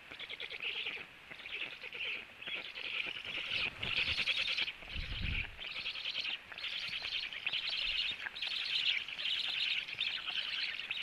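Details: Black stork at the nest at 18:16 as the male returns home and feeds, then flies to an upper branch; harsh, hissing high-pitched calls in bursts of about half a second to a second, with low thumps of movement midway.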